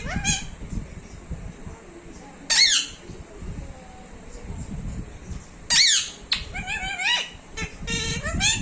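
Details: Talking parrot uttering sudden loud squeaky bursts and warbled rising-falling notes, a few seconds apart, indoors with low rumbling background noise and faint voices.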